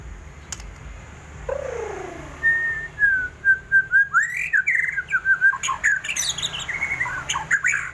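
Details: White-rumped shama, described as ready to fight at any time, singing a series of loud whistled notes, slurred and rising and falling, quickening into rapid phrases after a quiet start.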